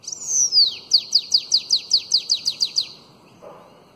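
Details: Tutoring song for young bananaquits in the canto belga alongado style: a long descending high whistle opens, followed by a dozen quick down-slurred notes in steady rhythm, with a faint low sound near the end.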